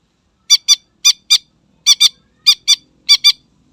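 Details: Greater green leafbird singing to rouse rivals, giving crisp rasping chips in tight pairs, four pairs evenly spaced about every half second, with no other sounds.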